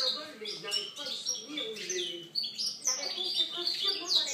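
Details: European goldfinch singing, recorded in 2013: rapid high twittering with sharp chirps and trills, tumbling phrases with little pause, over faint lower tonal sounds.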